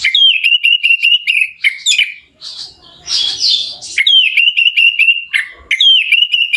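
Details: Lure song of an Orange-headed thrush meant to excite a bird into singing: bursts of quick sharp notes over a steady trilled whistle, broken by a scratchy rasping phrase midway.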